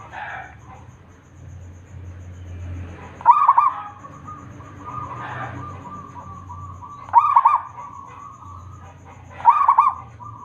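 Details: Local wild zebra dove singing vigorously, its song used to lure other doves into singing: three short bubbling, trilled coo phrases, the first near three seconds, then two closer together, over a steady faint hum and soft muffled calls.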